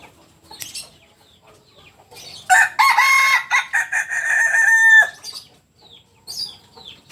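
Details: Kukuak Balenggek rooster, a biriang merah (red) bird of landiak class from Solok, West Sumatra, giving a long multi-part crow: several loud harmonic syllables strung together into a sustained, stepped, wavering call, with faint small-bird chirps before and after.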